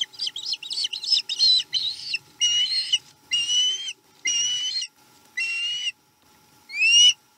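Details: Osprey calling at its Chesapeake nest during a menhaden meal, 7 April 2020: bright whistled notes, first clustered and hurried, then spaced about half a second apart, each slightly upslurred, ending on one sharply rising whistle.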